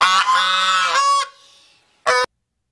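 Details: Pond-dwelling swan goose, very territorial, that hisses and honks to drive away people not feeding it: a long, loud, raspy honk of over a second, a fading tail, then one short sharp honk.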